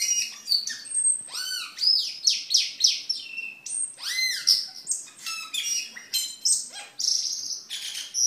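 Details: Cucak keling in full song, meant as master audio for caged birds and as a lure, delivers loud rapid arching whistles, downslurred chirps and squeaky chatter in quick succession, with faint background hiss.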